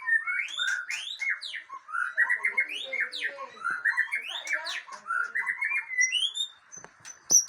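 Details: White-rumped shama of the Aceh type, described as a fighter, singing a continuous string of rich whistled and warbled phrases, many rising and falling, with sharp clicks and a few high thin notes near the end.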